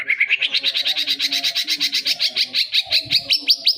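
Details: Young white-rumped shama (murai batu) giving a steady, rapid series of about twenty rising chipping notes, accelerating slightly and climbing in pitch.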